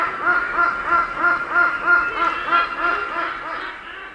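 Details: Jungle hornbill call: an even series of nasal, harmonic cackling notes roughly three per second, fading toward the end against constant background hiss.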